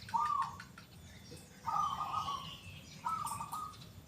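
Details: Actively singing local zebra dove with a loud, clear, big 'kung' voice gives three bubbling, trilled coo phrases spaced over about four seconds, each briefly rising and falling, over faint background birdsong.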